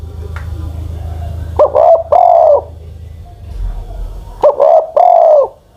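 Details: Old spotted dove, over ten years of age, kept as a ground decoy bird, gives two cooing phrases: a few short stuttered coos leading into one long, drawn-out mellow coo, repeated after about three seconds; low background hum.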